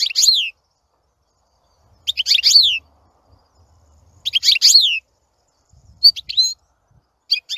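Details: European goldfinch singing: repeated short phrases of descending slurred twittering notes about every two seconds, with brief high chirps between them.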